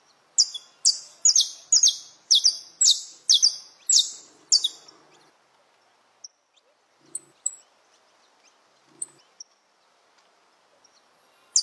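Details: In the wild, a saffron finch delivers its dawn alvorada: a rapid run of about nine loud, high, downslurred chirps over five seconds, then near quiet with a few faint distant notes.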